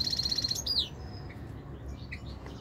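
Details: European goldfinch singing: a bright, rapid string of high tinkling notes, then a sharp downward slur, fading into quiet after about one second, with low background hum.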